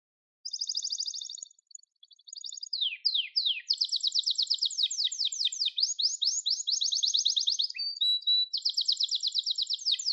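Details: Gloster canary singing in a recording made for song training: a long run of rapid, high trilled tours, with ringing rolls, brief falling sweeps near the third second, then dense pulsed trills changing speed, against a quiet, clean background.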